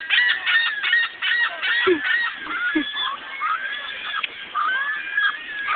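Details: Seagulls acting strangely, a dense chorus of loud, nasal, honking and laughing calls in rapid overlapping series, several birds calling at once throughout.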